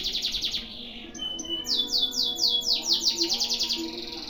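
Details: Canary in a long, one-breath tutoring song: pulsed trill, a pause, then loud, broad rasping sweeps repeated about twice per second, fading into a fast high trill.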